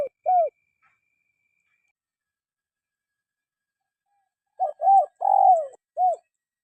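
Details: Spotted dove call meant for training idle caged birds to sing: the end of one phrase, a long silence, then a full phrase of short hooting notes around a drawn-out, downward-bending coo.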